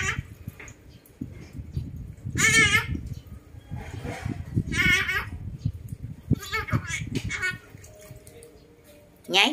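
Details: Rose-ringed parakeet imitating a dog's bark to chase a dog into its pen: short raspy harsh bursts at roughly two-second intervals, with a person talking and low background noise.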